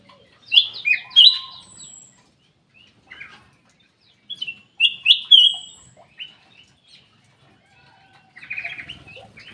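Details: Black-capped bulbul in an aviary repeating two loud whistled phrases about four seconds apart, with scattered quiet chirps between them. A harsh burst of chatter comes near the end.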